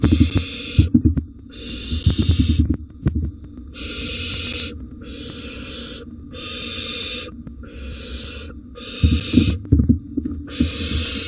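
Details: Barn owls at a wild nest box during a double rodent delivery, with repeated harsh, breathy screeches of about a second each following one another steadily amid scratching, thuds and wing movement.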